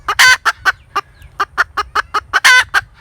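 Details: Rapid string of short, nasal clucks from a cackling hen, with two louder, longer grating notes standing out near the start and end.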